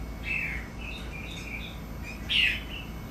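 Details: Red-whiskered Bulbul, caged breeding stock at a Thai breeding farm, in playful song: a fluid whistled phrase, then soft warbled notes and a louder, sharp downslurred whistle, over a low indoor hum.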